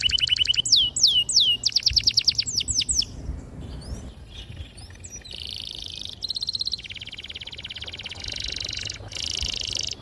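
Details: Canary giving long, clear rolling song to spur young canaries to sing: loud sweeping whistles and quick trills at first, then softer, buzzy rolling trills held for several seconds at a time.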